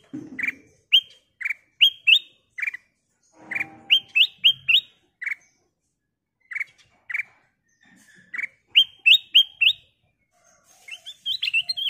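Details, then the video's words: Gacor kutilang emas bulbul with a crystal-clear voice, used as a prompt to set other birds singing: short loud whistled notes repeated in quick bursts, some rising with a sharp upward flick, separated by brief pauses. "Burung Kutilang Emas Gacor suara kristal Cocok buat Pancingan"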